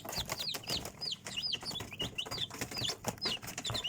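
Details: Chickens, chicks: clear high peeps that fall in pitch, several per second, overlapping from a few birds, over soft rustling.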